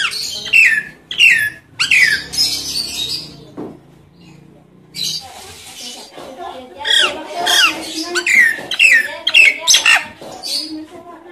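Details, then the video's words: Nias hill myna call meant to coax mynas that have stopped singing. Loud upswept whistles and harsh, ringing notes come in clusters, with a quieter gap in the middle before a new run of sharp whistles. "Suara panggilan jalak nias untuk jalak nias yang macet bunyi"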